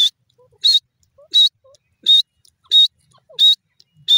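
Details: Francolin calling: short, loud, high whistled notes repeated steadily about every two-thirds of a second, with near silence between them.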